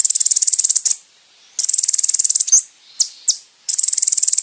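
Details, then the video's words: Training song of a brown-throated sunbird (kolibri ninja) meant for caged birds: long, very high, rapid metallic trills broken by a few sharp swooping chips and short pauses, in clean, quiet conditions. "MASTERAN BURUNG KONIN TERBAIK SEPANJANG MASA FULL ISIAN MEWAH MATERI KOMPLIT"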